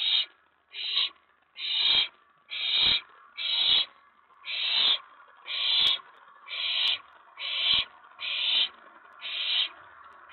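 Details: Owlet inside a nest box at night, May 19 2017, excited after a mouse delivery as another owl lands on the tray; harsh breathy hisses, about eleven bursts roughly one per second, steady and loud.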